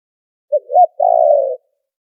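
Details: Filtered lure recording of a spotted dove for trapping: clipped first note, looping rising hoot, then a long low trembling coo; clean, silent surroundings.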